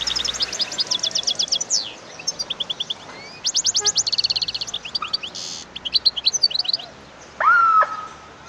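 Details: European goldfinch singing: a rapid, varied twitter of high trills, buzzy rattles and short chirps in fast bursts, ending with a lower drawn-out whistled note.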